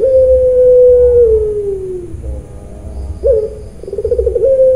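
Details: Weeping-style "nangis" coo of a farm-bred puter pelung dove in Cilacap, Central Java: a sustained note held over a second that bends downward and fades, followed by a sharp rise into a rippling trill and another held tone.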